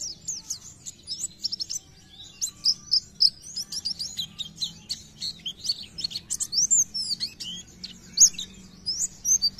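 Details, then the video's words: Oriental white-eye singing in the vigorous, rapid 'gacor nembak' style: dense, high-pitched twittering with quick chirps and short sweeping whistles, bursting almost continuously throughout with brief pauses, over a faint low hum. "PLECI GACOR NEMBAK BIKIN PLECI TAMBAH GACOR"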